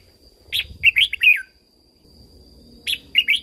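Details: Red-whiskered bulbul song used in Thailand to train and rouse caged birds: a quick phrase of bright, bubbling notes ending in a falling slur, a pause, then a second phrase beginning; faint low background noise.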